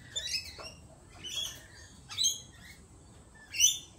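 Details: Lorikeets calling in a series of sharp, shrill screeches and squeaks at irregular intervals of about one second. Brief thin chirps sit between the louder bursts.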